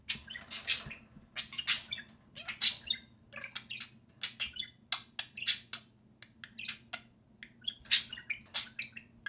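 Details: A pair of social pet budgerigars at play, chirping and talking in a dense, unbroken stream of buzzy, scratchy warbles and bright clicks, with a low room hum beneath.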